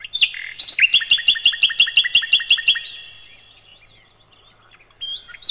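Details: The loud sikatan londo, known as nightingale and used for training cage birds, delivers a steady series of about fifteen crisp repeated notes, two to three per second faster, then falls quiet before a short whistle.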